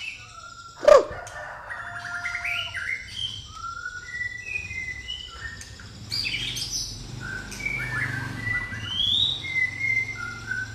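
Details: White-rumped shama of the pastol type, a caged bird trained in the gereja tarung song style, delivering varied whistled phrases and rapid chattering notes at mixed pitches, with a loud sharp bang near the start and background hum.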